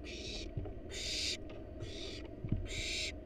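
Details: At a research-monitored nest box, wild barn owl parents deliver a rat to the nestlings; four long, rasping hiss-like screeches fill the recording, each about half a second, separated by brief pauses, with a faint low hum beneath.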